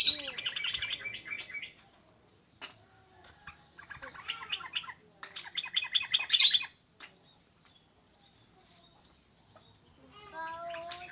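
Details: Sooty-headed bulbul, locally called trucuk, giving harsh, buzzy chattering bursts in three loud clusters over several seconds, separated by quiet gaps with scattered clicks, and a softer run of rising notes at the end.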